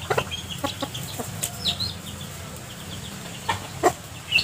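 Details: Mother hens leading chicks to dig for earthworms in rotting vegetation litter; irregular low clucks scattered through, with high chick cheeps near the end, about two sounds a second.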